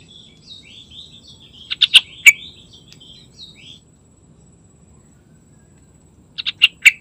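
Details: Yellow-vented bulbul in full morning song, with soft twittering warbles building to a loud run of bubbly notes, a quiet gap, and another emphatic gurgling phrase at the end.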